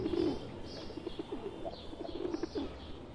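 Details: Low rolling pigeon coos at the start and end, linked by quieter throaty pulses, from a flock of wild pigeons joined by a tame one in India; faint chirps of small birds overhead.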